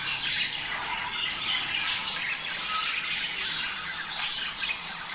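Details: Many budgerigars chattering, a sound offered to stimulate breeding: steady high twittering and scratchy squawks fill the clip, with one sharp click late on.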